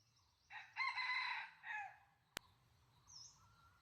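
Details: A wild junglefowl rooster, drawn in by hunters with a decoy hen, crows once in a loud, hoarse, broken cock-a-doodle lasting about a second. A sharp click and faint rural background follow.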